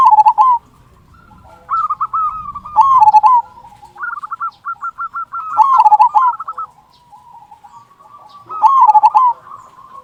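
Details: A local zebra dove sings its loud "kung" lure song to provoke other doves into singing: vibrant, undulating cooing phrases every two to three seconds, separated by quicker, quieter rattled trills.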